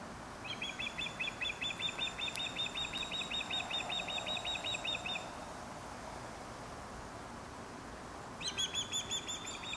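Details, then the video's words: Osprey in Dartmouth, Nova Scotia, delivering a long, even chain of about twenty-five shrill chirps at a steady rapid pace, falling silent for several seconds, then starting a fresh series. "Osprey Calling"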